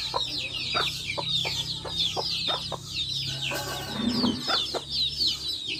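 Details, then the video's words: Backyard hens with chicks: dense high, descending chick peeps fill the background while short hen clucks sound every half second or so, with a low steady hum underneath. "Adorable backyard hens with chicks making adorable sounds!"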